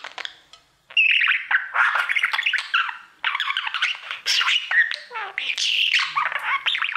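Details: Budgerigar kept as a pet warbling at its mirror: continuous scratchy chatter mixed with short whistled slides and harsh squawks, almost without a break.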